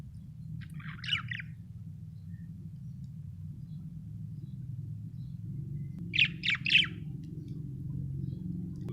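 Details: Happy budgerigar chirping: two short bursts of buzzy, warbled chirps about five seconds apart, over a steady low hum.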